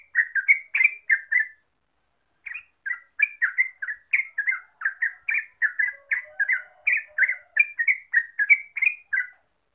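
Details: Bubbly chattering song of the yellow-vented bulbul (Pycnonotus goiavier), or trucuk, used as a lure to get birds singing rapidly: a short burst, a pause, then a long lively run of warbled notes, a faint low tone mid-way.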